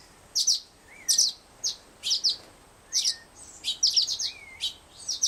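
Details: Male Black-headed Grosbeak fledgling in care, not quite ready to feed himself, asking for food. Gentle slurred whistles that rise and dip recur every second or so, mixed with bright, high chip notes in quick pairs.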